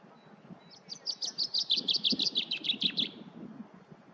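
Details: Common chaffinch singing: a rapid descending series of bright, repeated notes accelerating into a trill near two to four kilohertz, about fifteen notes over three seconds, with faint low background rumble.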